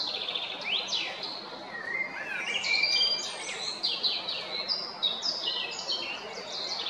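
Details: Male Eurasian blackbird recorded 22 April 2021 at Jarun, Zagreb, Croatia: a long varied song of mellow fluted whistles and swooping slurs, then a run of quick high chirpy notes, all over a faint hiss.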